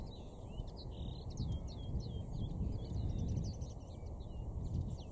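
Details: A common linnet sings at Cavenham Heath, Suffolk, UK, 4 April, 6:30 pm: continuous lively twittering of chirps, short slurred whistles and dry notes run together, with steady low rumbling wind or traffic noise underneath throughout.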